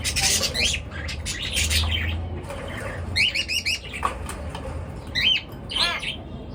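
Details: Pet birds chirping in the morning, waking the household: bursts of short, bright, squeaky chirps and trills in rapid clusters, with quieter pauses between and a low steady hum underneath.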